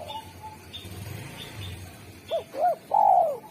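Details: Spotted dove known locally as derkuku, singing sharp and clear to attract wild doves: faint coos at first with low rumble, then two arched hoots and a strong long descending coo.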